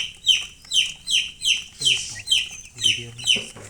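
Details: High descending chick peeps repeated a little over twice per second, loud and even, with low clucking sounds between some notes.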